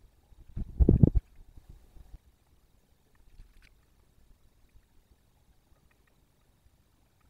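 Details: A single low thump in the first second, then near-silence with only faint scattered rustles.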